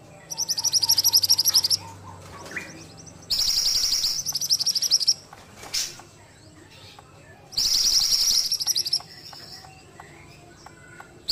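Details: Actively singing Ashy tailorbird: three buzzy, rapidly stuttering high-pitched bursts, each about one and a half seconds, with quieter gaps holding faint bird whistles, a brief click and steady low background hum.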